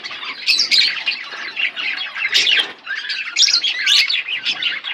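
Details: Pair of pet budgerigars keeping up busy chirping, scratchy warbles and high tweets in clustered bursts, with a sharp click midway.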